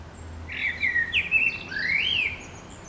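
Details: Morning song of a common blackbird in town: rich, flute-like warbled notes in two short phrases, the second swooping upward, with a faint high twitter behind.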